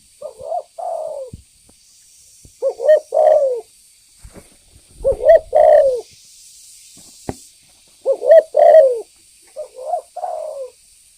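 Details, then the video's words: Actively calling spotted dove used as a lure to provoke other birds: low, mellow cooing phrases of two to three soft notes, repeated every two to three seconds, with a faint steady high hiss behind. "Suara pancingan burung Tekukur Gacor"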